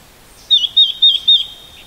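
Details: Red-billed leiothrix in autumn on Mount Garyū, giving four quick, high, slightly slurred notes about a quarter-second apart, over a faint background hush.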